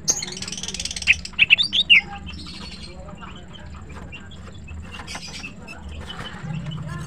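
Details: Female green cucak (greater green leafbird) singing in the morning: a quick burst of sharp, rising and falling whistled notes in the first two seconds, then faint scattered chirps over a low steady hum.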